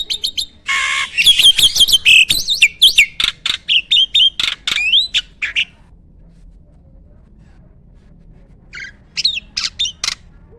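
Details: Farm-kept starling singing in 'gacor full isian' style: an opening harsh buzz, then swift chattering whistles and clicks for about five seconds, a long silence, and a brief final flurry of chirps.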